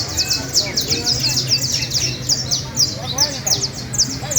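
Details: Canary at a song contest in La Ceiba, Valledupar, Colombia, delivering fast high trills of rapid descending notes in dense bursts, with voices and low murmur of a crowd underneath.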